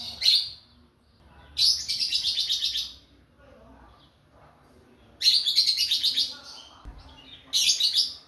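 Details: Young lovebird, two and a half months old, singing busily and calling to draw out a rival; harsh high chattering bursts of rapid notes, each lasting about a second, repeated four times with quiet pauses and faint background hum.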